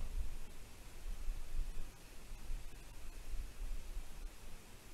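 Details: Gusty low rumble of wind over a soft hiss, with no animal voices.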